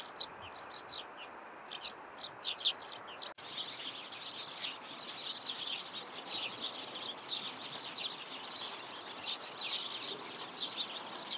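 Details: Morning chatter of Eurasian tree sparrows, a steady stream of quick, high overlapping chirps, sparse at first and then thick and continuous, with a faint high whine running through the background.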